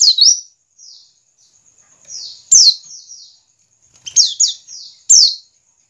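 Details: White-eye ngiriwik calls meant to prompt caged white-eyes to sing. Sparse bright bursts of high downslurred chirps separated by quiet stretches holding faint, soft, drawn-out notes.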